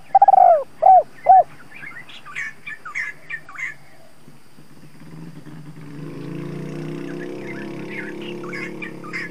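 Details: Decoy spotted dove luring wild doves: three low hollow coos at the start, followed by scattered chirps from other small birds and a rising engine-like rumble in the second half.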